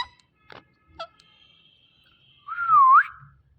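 A female ringneck parrot gives a single clear whistled note that dips and then swings upward, after a few soft clicks and taps and a faint thin steady tone.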